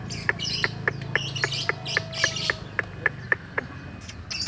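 Greater green leafbird giving sharp, bright chips about four a second, mixed with softer high warbled phrases over a low background hum.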